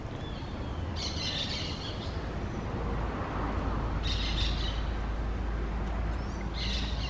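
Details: Green parakeets calling at a nest they found. Three coarse, screechy bursts come about every two and a half seconds over a loud, constant low-pitched rumble.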